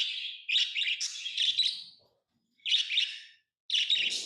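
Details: Tame pet lovebirds chirping in three bursts of shrill, rapid, high-pitched twittering, the first lasting about two seconds, with brief silent gaps between.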